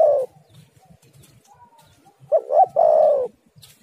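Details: Spotted dove calling, played to lure other doves and set them calling: after a quiet stretch of faint rustling, one low cooing phrase of two short hooting notes runs into a longer, steady, mellow coo.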